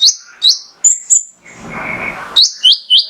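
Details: Singing male mangrove whistler, played to provoke other birds to sing: clear rising whistled notes at two pitches, interrupted by a second-long hiss of rustling noise before the whistles resume.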